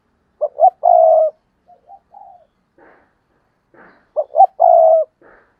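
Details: Spotted dove used as a decoy, cooing to draw in wild doves. Two phrases about four seconds apart, each two quick rising notes and a long level coo. Faint low notes and rustling sounds fall between them.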